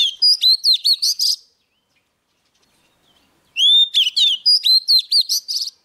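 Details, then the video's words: Energetic song of a young Oriental magpie-robin reacting to an approaching wild bird. Two bursts of pure whistles and rapid stuttering, ringing notes are separated by about two seconds of silence. "Choè than non lên hót cực sung khi bổi đến gần"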